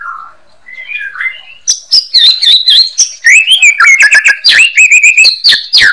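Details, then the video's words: White-rumped shama (murai batu) sings a rich, varied song: soft slurred whistles giving way to rapid, sharp chirps and trills, about four notes per second. "MURAI BATU HARIAN RECEH"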